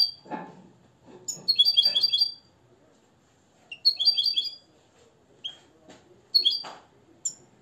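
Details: European goldfinch from Morocco, reared from the nest and trained in limpio song, sings separate one-second bursts of rapid, silvery twittering, with short sliding notes and some low knocking sounds between phrases.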